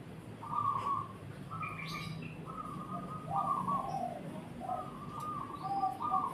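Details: Zebra dove singing: soft, staccato cooing notes, short bursts of level trills repeated at an uneven pace, with a faint higher chirp near the start and low background rumble.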